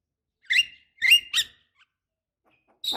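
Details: Javan myna, a female calling a male, used as a lure to make quiet birds sing: three rasping, slightly rising notes in two bursts, with silence between and a brief noise at the end.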